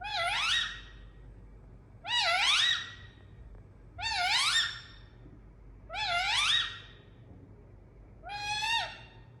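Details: Indian ringneck parrot making harsh rising screeches, five calls spaced about two seconds apart, each a rich harmonic squawk that climbs then flattens, over a low indoor hum.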